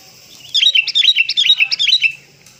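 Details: Sooty-headed bulbul calling as a bird lure: a quick burst of about a dozen sharp, downslurred chattering notes lasting under two seconds, with quiet background.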